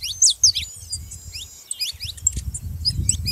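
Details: Scattered high, sharply falling chirps from a saffron finch, sung to stimulate a silent canary to sing, over steady low rumbling noise.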